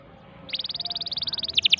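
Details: Canary song for stimulating a silent canary: after a quiet start, a rapid, even trill of short high notes builds in loudness and ends in three louder, fuller notes.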